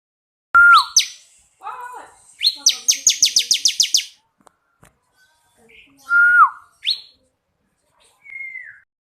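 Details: Bar-winged prinia of the 'kristal' type, song used to train other birds: a clear whistled note dropping at its end, upswept chips, a rapid rattling trill of about ten sharp notes, more whistles and a final soft down-slurred note.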